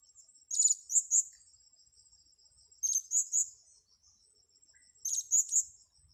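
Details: Blue-crowned hanging parrot being lured repeats a three-note phrase of shrill high tsit notes roughly every two seconds, three phrases in all, against a steady thin, pulsing insect buzz.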